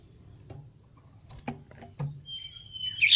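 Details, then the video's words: A male common iora practising its song: a few soft clicks, then a long, thin, steady high whistle ending in a loud, harsh burst. "Cipoh Jantan Belajar Rajin Bunyi"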